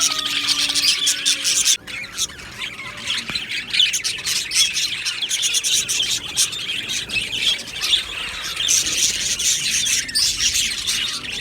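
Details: Happy budgerigars fill the air with overlapping chirps and fast twittering, the busy chorus dipping briefly near the start before rising again.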